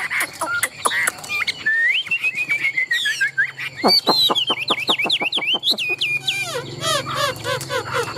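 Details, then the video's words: Caged Chinese hwamei, a competition songbird, in varied song: sharp chips, a rising whistled series, then a fast rhythmic train of clicking notes and high slurred whistles, followed by softer rapid twittering. "Họa mi thuần đét, Bộ to - Đấu hót rất tốt"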